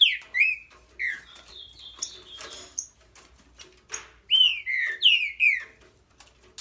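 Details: Green-winged saltator singing strong, clear whistled notes that drop in pitch, linked by quieter thin tones in the middle, then ending with a vigorous run of four or five descending whistles.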